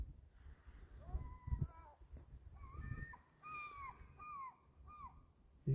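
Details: Gulls flying past near the coast give a loose series of nasal, downslurred calls, some paired, over about four seconds, with wind and handling noise; such scattering gulls often mean an eagle is not far behind.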